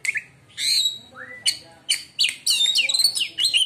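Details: White-rumped shama in full song, described as making other shamas go quiet: varied loud whistles, slurred rising notes and quick chattering runs, growing denser toward the end.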